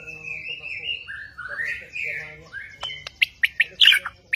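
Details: Caged Bornean White-rumped shama: soft wavering whistles slurring up and down open the passage, followed by a series of sharp clicking notes and a few bright high chips at the end.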